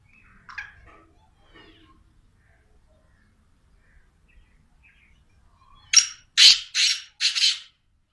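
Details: Black francolin calling: after six seconds of near silence with a few faint chirps, four loud, harsh, grating notes in quick succession, each broad and rasping, delivered in under two seconds.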